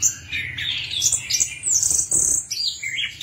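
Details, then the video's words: Orange-headed thrush song used to prompt a silent bird into singing: bright whistled phrases climbing high and then dropping, a long held high note, then short rising chirps. "PANCINGAN SUARA ANIS KEMBANG MACET BUNYI"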